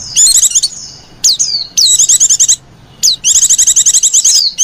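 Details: Lenjeh manja calls from a female white-eye, a lure for white-eyes: bursts of fast, very high chattering trills separated by sharp downslurred whistles, loud and nearby.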